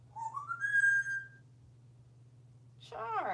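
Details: Pet parrot perched in a bathtub in a bathroom during a live session on 15 July 2018, giving a rising whistled note that climbs and holds for about a second, then a short burst of mimicked speech after a pause.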